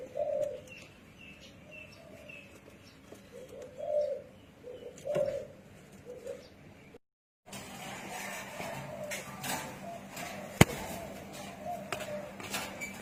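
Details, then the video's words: Spotted dove cooing: soft low hooting coos repeated in short phrases over the first half, followed by a brief gap and then a noisier stretch with a sharp click. "Spotted Dove Cooing"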